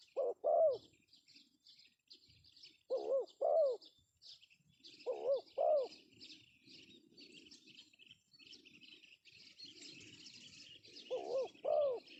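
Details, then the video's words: Male Spotted dove from Indonesia, a pesom-style calling voice used as a lure: paired low, arched coos in four bursts, spaced about two to five seconds apart, over faint high chirping of other birds and a soft low rumble. "suara panggilan Tekukur pesom Cocok untuk pancingan"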